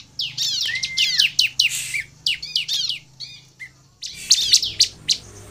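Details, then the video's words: Bar-winged prinia in energetic song, used to lure other prinias into singing: rapid bursts of sharp, high, metallic chirps and trills, with a short low whistled slide early on, a brief pause near four seconds, then renewed chirping. "SUARA CIBLEK GACOR INI AMPUH MEMANCING CIBLEK LAIN LANGSUNG BUNYI DAN GACOR"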